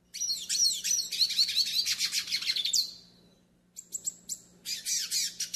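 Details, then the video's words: Yellow-faced siskin song, a tutoring and warm-up song style, heard as rapid buzzy twittering with high sweeping notes for three seconds, a short pause, then renewed choppy chattering phrases. "CANTO PARA ENCARTE E ESQUENTA PINTASSILGO DO NORDESTE"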